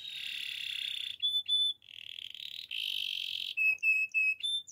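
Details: Gloster canary singing for canary training: long buzzy rolls alternating with short, clear whistled notes repeated in quick succession.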